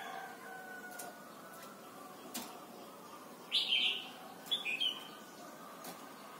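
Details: Red-whiskered bulbul, Thailand, from a recording for teaching young birds to sing: a rich warbled phrase followed a second later by a shorter pair of notes, with quiet hum behind.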